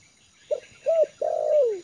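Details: Trained spotted dove for luring, calm on yard ground: a brief soft note, an arched coo, then a long mellow coo sliding downward at the end.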